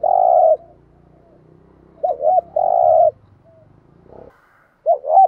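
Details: Spotted dove cooing to lure wild doves, thúc gù style: a long buzzy coo, then a full phrase of quick double note and held coo, ending on another double note; faint low hum beneath.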